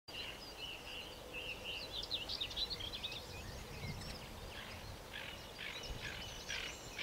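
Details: Sedge Warbler at Bicester W.R. on 7 May 2012 delivers a fast, jumbled stream of scratchy chatters, trills and thin whistles, varied from phrase to phrase, over a steady background hiss.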